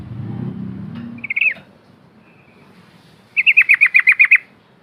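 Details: Yellow-vented bulbul lure sound, a chatty bird in the ngepak ngikluk style: a low rumble, then a single sliding whistle falling in pitch, a pause, and a fast run of eight sharp, bright notes in quick succession.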